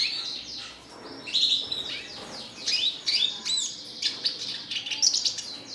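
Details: Energetic Red siskin song full of rapid twittering, buzzy slurred notes and squeaky high chirps, delivered in continuous fast phrases with only short dips in loudness.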